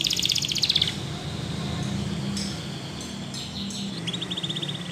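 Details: Belgian canary rambling song: a fast buzzy trill of repeated high notes, then sparse scattered chirps and short notes over a low background rumble.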